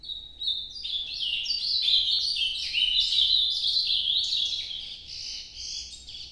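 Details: Ultramarine grosbeak in the northeastern Nordeste song style, noturno form: it opens with a steady whistled note, then breaks into a fast, jumbled warble of rising and falling phrases that peaks midway and trails off softer.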